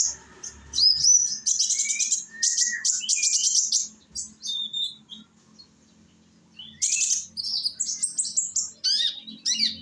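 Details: Song of a young Indonesian sunbird used as a lure to prompt other sunbirds to join in: bursts of very high, fast, buzzy trills and thin downslurred whistles, a quiet gap, then more twittering phrases.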